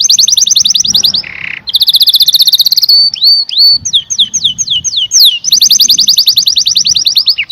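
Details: Canary song with long, rapid, ringing trills, a brief low buzzy roll, and a middle passage of repeated swooping, down-slurred whistles before trilling again.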